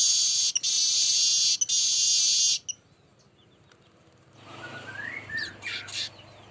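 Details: A steady, high, buzzy wheeze from a baya weaver, broken by two brief clicks and held for over two seconds. After a quiet gap come faint scratchy notes and a rising twitter. Recorded as a lure sound for the bird.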